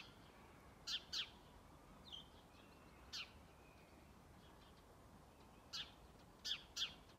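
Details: A lone house sparrow calling powerfully on Strömgatan in Haga on 21 December 2022: short, harsh chirps, some in quick pairs, near 0.9, 1.2, 3.1, 5.8, 6.5 and 6.8 seconds, with a faint note between, over quiet background.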